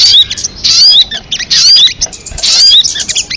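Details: Crested jay with three rough, high chattering bouts, each containing bright rising whistle strokes, separated by short quieter stretches.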